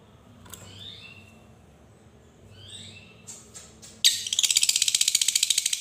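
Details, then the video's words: Lovebird voice used as a lure to make young lovebirds sing and learn the long ngekek trill; a few faint high chirps, then a loud, dense, rapidly pulsing high trill for the last two seconds, indoors. "Suara Lovebird ini Mampu Membuat Semua Labet Bahan Rajin Bunyi Dan Belajar ngekek"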